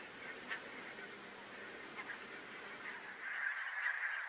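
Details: A flock of barnacle geese at Workum, Netherlands, February 2014, gives a dense chorus of short, yapping barks, rapid and overlapping, growing louder and busier toward the end.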